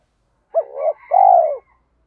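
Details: Spotted dove, a decoy bird, giving a single cooing phrase: a short rising, wavering note, then a long smooth coo that falls away.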